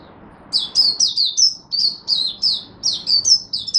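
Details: Unbroken stream of thin, high, downward-slurred chirps from an Oriental white-eye, a hobby bird in Singapore, recorded on a humid, warm, rainy, overcast day in March 2023, the notes following each other rapidly.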